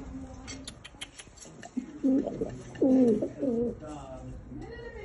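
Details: Mating-minded homing pigeons: a few loud, bubbling coos in the middle, with quieter background sounds before and after.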